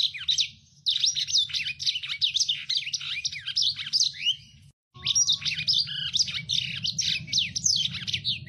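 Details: Lemon-breasted canary in active song, a very rough, full-speed strain used to tutor other birds: dense bursts of high buzzy trills and rapid swooping notes, broken by two brief pauses, over a low steady hum.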